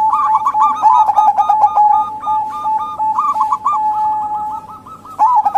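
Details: Luring call of local and Bangkok zebra doves, including a local female, used to entice males or wild doves. Continuous rapid cooing is broken into short bursts, wavers between two pitches, and swells again at the end.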